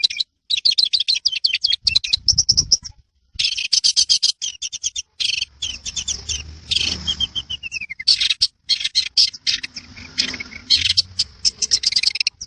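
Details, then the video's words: Long-tailed shrike in a dense, rolling, full-voiced master song for training birds; continuous high chattering and rapid buzzy phrases with a brief pause, one falling whistled slur, and short gaps between bursts. "Masteran burung CENDET_PETET gacoran ROL rapat NGEPLONG"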